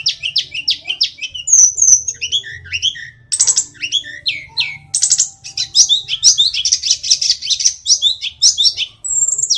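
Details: Hill blue flycatcher, called tledekan gunung, from Kokap in Kulon Progo, Yogyakarta, a small songbird that imitates other birds, singing dense, rapid, high warbled phrases with sharp whistled slurs and a long level whistle near the end.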